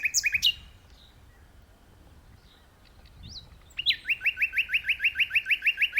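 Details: Powerful common nightingale song from a tree: a quick burst of bright repeated notes, a silent pause of about three seconds, one rising whistle, then a rapid, regular series of emphatic clicking notes building to the end.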